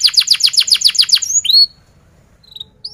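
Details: Canary singing as a teaching lure for young birds that struggle to sing: a quick run of about ten repeated descending chips, then a rising whistled slur and a few sparse high notes before falling quiet.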